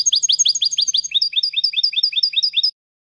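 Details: Training recording of European goldfinch song for young birds: a quick chain of sharp, high chirps shifting midway into a slightly lower, even twitter, ending abruptly before a brief silence.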